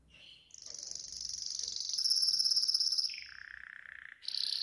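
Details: Yellow golden canary singing a training song: a soft opening phrase, then a long bright buzzy tour held high, a lower rolling trill, and a sharp high burst at the end.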